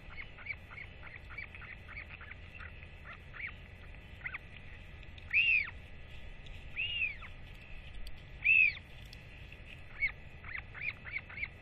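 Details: Northern royal albatross chick during a feeding by a returning parent; three or four loud, arched whistled notes stand out among many short, clipped calls in an irregular series.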